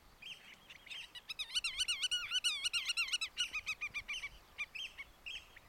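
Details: A common redshank in Groningen province, Netherlands, gives alarm calls: loud, ringing, slightly wavering piped notes in a rapid series, about two or three a second, over faint outdoor background.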